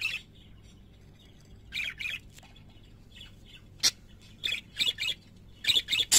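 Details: Singing pet parakeets chatter in harsh, buzzy bursts, some doubled, with sharp clicks between, the notes bunching faster toward the end; a low hum lies beneath.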